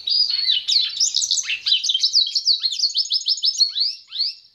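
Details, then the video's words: Pintagol, a goldfinch and canary hybrid, singing a continuous high twittering warble of quick sweeping notes and short trills, the phrases tumbling together without pause for over four seconds; no other sounds. "PINTAGOL EM CANTO"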